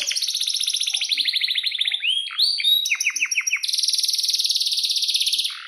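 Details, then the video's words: Vigorous canary song: dense, high, rolling trills, a sequence of swooping slurred whistles and rapid downward chips, then a long, shrill, evenly pulsed roll to the end. "Kenari GACOR PANJANG"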